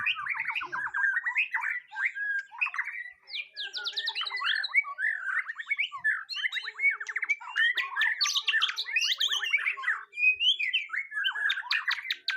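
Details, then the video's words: White-rumped shama, a caged bird being tested for its singing nerve, delivers a fast, varied song of rapid trills, repeated whistled notes and sharp chips, almost continuous for twelve seconds with brief pauses near three and ten seconds. "Nguji Mental Burung Murai Batu Perdana"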